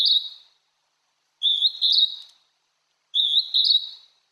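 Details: Song of a wild Hodgson's hawk-cuckoo at Tokyo Citizens' Forest, Japan: clear, piercing two-syllable whistles, the second higher, given in three phrases with short silent gaps between.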